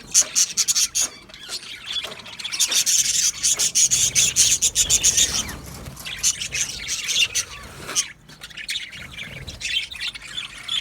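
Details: Colony of budgies in an aviary, dense, fast, rasping chirps and squawks from several birds, loud throughout with a short dip near the end.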